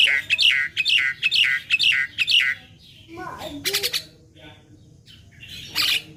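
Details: Young black-winged myna in a training recording meant to prompt other mynas to sing: a run of five sharp downslurred whistles, then harsh chatter and mixed squeaky notes, with quiet pauses between.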